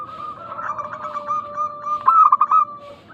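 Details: Local zebra doves in Indonesia, a lure recording to coax other doves into calling. Soft, quick coos run over a steady ringing tone, then a louder pulsed burst follows near the end.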